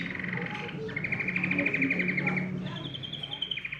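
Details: Canary song meant to stimulate other birds to sing: trilled rolling phrases near the top of the range, a long steady rattle, then a higher trill, over a faint low hum.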